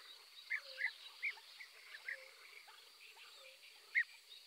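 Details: Eurasian tree sparrow (Passer montanus) giving short, sharp chirps at irregular intervals, with one louder chirp near the end, over a faint steady hum and low tonal background sounds.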